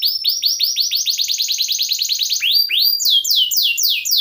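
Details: Canary song used to tutor other songbirds: quick repeated downward-sweeping whistles in rapid series, followed by slower, broader descending swoops at a higher pitch.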